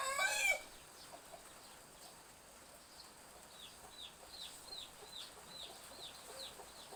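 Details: Morning in a village backyard with gentle drizzle: the tail of a loud rooster crow opens, then chicks give a steady series of thin, high, downward-slurred peeps over soft rain noise.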